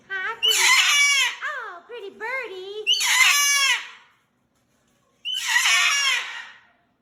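A cockatoo gives three loud, harsh, raspy screams about two seconds apart, with lower squawky chatter between the first two and a brief silence before the last.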